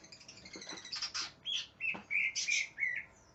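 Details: Greater green leafbird, singing aggressively as if seeking an opponent, gives buzzy chattering notes followed by a string of clear falling whistled slurs, roughly three per second.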